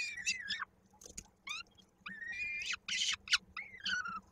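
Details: Peregrine falcon nestlings in Koszalin, Poland, 16 May 2022, during feeding by the mother, a chick's foot caught in a beak: separate drawn-out whining wails that fall at the end, spaced by short silences and a few sharp clicks, over a soft hum.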